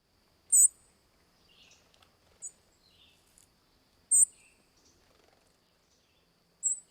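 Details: Two Song Sparrows exchanging contact calls: tiny, thin, very high tsip notes every couple of seconds, one bird close and another answering faintly from farther off, simply communicating back and forth.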